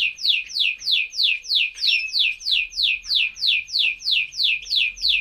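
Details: A Greek canary sings a steady run of high, downward-slurred whistled notes, about three each second, with nothing else in the background.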